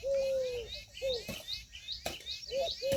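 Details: Female Indian peafowl calls: a held, steady, bright note of under a second followed by short repeats every second or so, each with clear overtones; faint high chirping and a few clicks behind.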